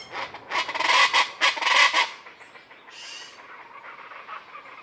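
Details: Loud, social common chachalacas near a palapa in Sierra Madre jungle along Banderas Bay at first light: several harsh, rough calls clustered over two seconds, followed by a softer grating tail.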